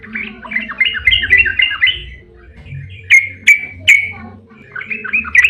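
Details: Yellow-vented bulbul in long ropel style to stimulate other bulbuls; a fast chattering phrase, a pause, three sharp ringing whistles spaced half a second apart, then more bubbly notes.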